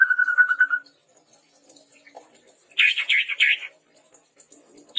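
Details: Red-rumped tepus tutor recording: a quavering, pulsed whistled note, a pause, then a loud harsh buzzy chatter lasting about a second.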